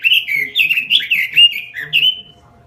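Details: Continuous robin song for luring and tutoring birds: a dense tumble of bright, slurred warbling notes that ends on a drawn-out, slightly falling whistle.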